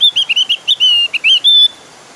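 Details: Javan grey-throated white-eye in vigorous, persistent song, used as a lure to set other white-eyes singing. It gives a rapid run of high, clear chirped notes, some slurred and rising, ending in one longer steady whistle.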